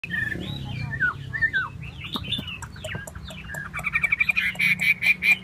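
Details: Chinese hwamei singing while fanning and dancing its tail: varied whistled phrases with slurred rising and falling notes, then a fast run of bright repeated notes near the end.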